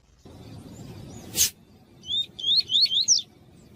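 Double-collared Seedeater giving a quick run of five or six high, clear whistled notes that slur up and down, after a single sharp click and soft background hiss.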